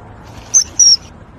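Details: Kingfisher chicks being fed: two short, very high thin whistled notes in quick succession, steady and piercing, over a low background hiss.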